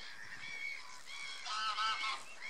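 Greylag geese give a run of nasal, overlapping honks, several birds calling at once with a louder burst near the end.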